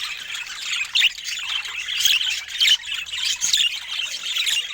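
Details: Budgerigar chatter of high, buzzy warbles rising in louder bursts about once a second, with soft squeaky chirps between.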